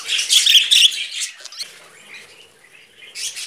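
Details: Pet budgerigar brothers perched on a hand indoors, giving a short burst of harsh, high chattering squawks in the first second, then quieter scratchy chirps and a final brief chatter.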